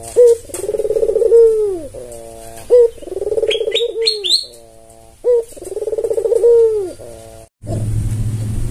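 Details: White albino Barbary dove with red eyes, tame, calling as a lure for other doves: repeated throaty purring coos, each opened by a quick rising note and ending in a downward slide; small-bird chirps midway, a bump at the end.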